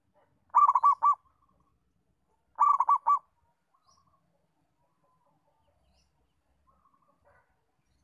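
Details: Local-type zebra dove, recorded for training other doves to sing, gives two short phrases of rapid rolling coos about two seconds apart, then quiet with faint soft notes.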